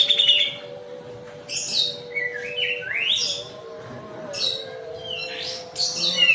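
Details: Kapas tembak white-eye from Medan singing actively in a rapid, rolling style: sharp high chirps, a buzzy trill, then steep rising and falling whistled sweeps in quick bursts, with a steady low hum underneath.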